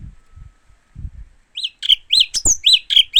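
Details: Japanese white-eye giving a lively sequence of high, arched chirps delivered about four per second, one sharp upper squeak among them, after a few quiet low thumps.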